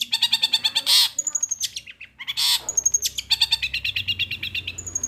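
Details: Long-tailed shrike (cendet) in captivity pouring out fast chattering material with rattled note series, thin high whistles and two harsh rasping bursts, listed as sparrow, petir, kuntilanak, getar, restu and tengkek buto.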